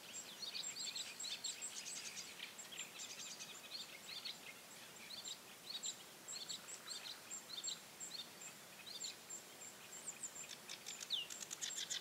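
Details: Bearded reedling (Panurus biarmicus) fledglings of 2017 give a steady chatter of short, high, metallic pings and ticks, with several young birds calling over one another against a soft background hiss.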